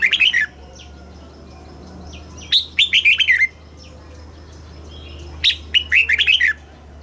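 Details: Red-whiskered bulbul in captivity singing a southern master-style song used to excite caged birds and teach young birds. Bright, rolling phrases of five to six quick notes come about every three seconds.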